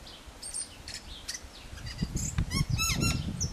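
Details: Tui singing from a cabbage tree: faint high whistles, then a loud series of rapid clicking, ringing notes in the last second and a half, with low rumbling noise underneath.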